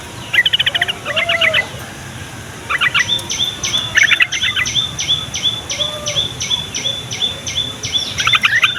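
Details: Yellow-vented bulbul song meant to make young birds and flock-kept bulbuls respond, also used to draw in wild birds. Loud clusters of fast, bubbly chattering notes open the recording, then a long series of repeated upswept whistles runs through it.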